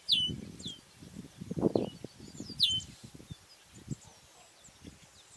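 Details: Chestnut-capped Blackbird (Chrysomus ruficapillus) giving two sharp, high, sweeping whistled notes about two and a half seconds apart, with faint chips between, over low rumbling background noise.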